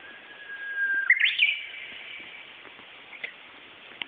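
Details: Japanese bush warbler singing in Hinohara village, Tokyo, on 4 May 2011: a long steady low whistle, then a sudden rising flourish ending in a sustained higher whistled note, with faint background hiss.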